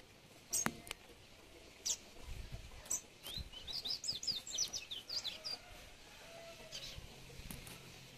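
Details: Double-collared seedeater singing: a quick burst of high, twittering, chirpy notes in the middle of the recording, with a few isolated sharp chips before and after over faint background hiss.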